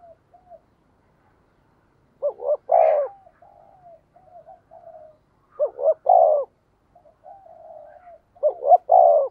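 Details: Caged decoy spotted dove calling to provoke wild doves: three cooing phrases roughly every three seconds, each two short notes then a long full coo, separated by soft level humming notes.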